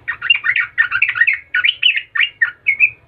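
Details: Yellow-vented bulbul in continuous 'gacor latah' song, used to draw replies from other bulbuls. It gives an unbroken run of varied, gurgling warbled notes, rising and falling quickly for over three seconds, with a soft low hum underneath.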